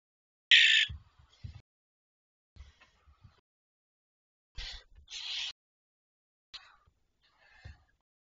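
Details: Barn owls at night on 19 May 2023 at 01:37, giving three harsh, hissing screeches of about half a second each, with softer rasping calls and low knocks between them.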